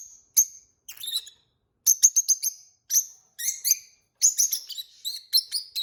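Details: Peach-faced lovebird couple singing and chirping as pets; a busy run of rapid high squeaky chirps and twittering notes in clustered bursts, growing denser toward the end.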